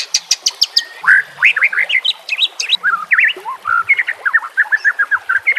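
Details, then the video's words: Varied song of a white-rumped shama, used as master training audio with nature sounds and running water; a few sharp high chips open into a stream of looping, rich whistled phrases at mid pitch. "GAK PAKE LAMA Murai Batu CULUN DAN MBAGONG dijamin langsung nyamber dengan masteran burung terbaik"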